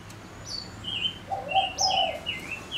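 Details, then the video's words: Male decoy bird sings a string of clear descending whistles, some high and thin, over a low cooing dove partway through. "Chim ngũ sắc mồi hót cực hay kích bổi nhanh nổi | chim ngũ sắc hót | ngũ sắc trống"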